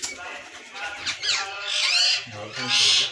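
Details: Rose-ringed parakeets kept in a breeding colony in Pakistan, 2022: rasping squawks and hooked screeches that build to a loud burst near the end, over a low background hum.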